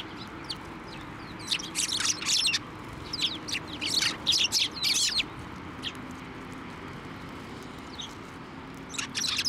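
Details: Several sparrows visit a hand for food at a Tenmangu shrine on 23 November 2023; dense bursts of high, sharp chirping, then a quieter gap before chirps resume, with a low steady hum beneath.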